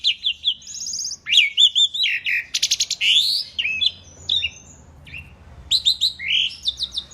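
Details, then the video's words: Jalak suren (Asian pied starling) delivering lively masteran song for songbird training: quick rising whistles, scratchy chatters, clicking bursts and short pauses between dense, varied phrases. "kicau jalak suren masteran gacor"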